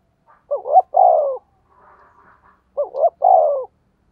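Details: Spotted dove cooing to lure wild doves: two loud phrases about two seconds apart, each a short rising-falling note then a longer falling coo, with faint softer chirps between.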